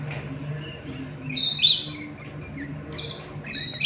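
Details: Canary pair, male and female, at a nest with chicks being fed; short separate high chirps and whistled notes sound at intervals, a few sharp and loud, over quiet background.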